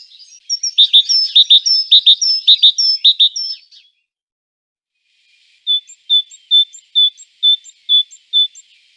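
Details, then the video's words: Great tit calls: a rapid chattering run of high, paired chirps and thin whistles for about four seconds, then after a pause a steady series of eight clear, evenly spaced high pipping notes. "Różne odgłosy sikorki bogatki."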